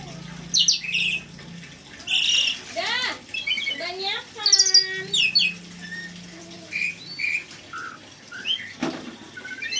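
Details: Red lory with loud, grating squawks and rasping sweeps in irregular bursts, a stretch of buzzy, ringing harmonic notes, and scattered shorter chirps, mixed with some low human voice.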